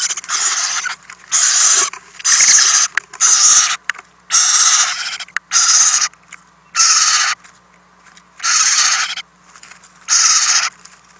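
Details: Owlets in a nest box being fed overnight, adults bringing in 97 prey items in one night, all owlets eating well; harsh broadband hissing screeches, each about half a second long, repeated in an uneven series with short gaps.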